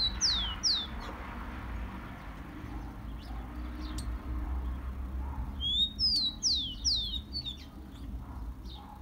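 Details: Song of the rufous-collared sparrow, used to fire up captive birds: two groups of high, thin falling whistles, one at the start and one later, separated by a quiet stretch with low background hum.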